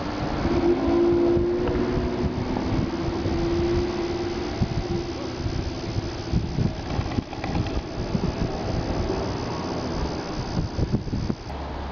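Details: Steady rumbling vehicle or train noise with a brief sustained low tone near the start, and no clear animal calls.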